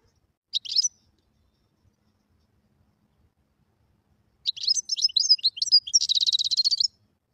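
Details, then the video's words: Wild European goldfinch singing: a short burst of high tinkling notes, a pause, then a longer twittering phrase of rapid liquid chirps ending in a fast buzzy trill. "تغريد الحسون البري #goldfinch_song"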